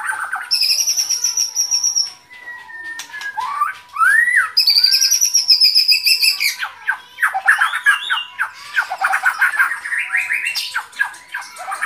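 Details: White-rumped shama singing long, very high buzzy trills that alternate with lower whistled slurs and fast chattering; a faint steady hum runs underneath.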